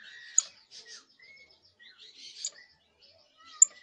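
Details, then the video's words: Canary fledgling trying out early song phrases: hissy, buzzy high chatter in short bouts, mixed with thin level whistles and a few sharp clicking ticks against a quiet background. "Pichón de CANARIO soltando sus primeros cantos, trines, Charrasqueando"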